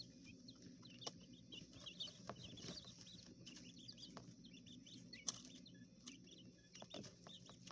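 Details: Young coturnix quail in an indoor enclosure in a hotel room, urban surroundings; many thin, hooked peeps in quick irregular succession over a constant low mechanical hum and a few taps.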